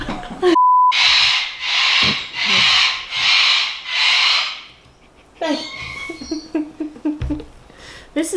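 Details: Sulphur-crested cockatoo in Australia, likely wild birds near a park: four loud, harsh, raspy screeches about a second apart after a short electronic beep, followed by indoor chatter and laughter.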